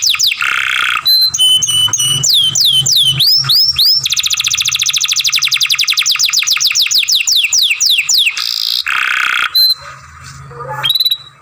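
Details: Young canary delivering masteran song with long grumbling passages: rapid chains of upswept whistled notes merging into a fast continuous trill, then a harsh buzzy roll and a few scattered chirps, faint hum behind.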